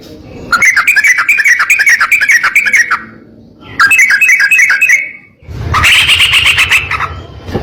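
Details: Sooty-headed bulbul master song for training other bulbuls: two long runs of fast, bubbling chattering notes, then a harsher rattling burst over low rumbling background noise.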